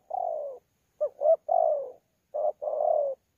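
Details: Wild-caught spotted dove from Sa Thầy, recorded 26 November 2019, giving a thổ pha challenge coo with bowing coos: a long falling coo, a pause, then two short notes and another drawn-out falling coo, all low and mellow.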